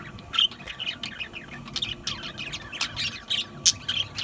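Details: Budgerigars giving a busy stream of short chirps and scratchy warbled notes, with a few sharper squawks standing out over steady chatter.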